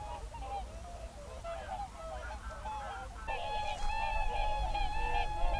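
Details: Whooper swans in an evening concert among geese, February 2023, in a national park. Scattered soft honks build after three seconds into loud, sustained trumpeting with strong overtones from several birds calling in chorus over a low rumble.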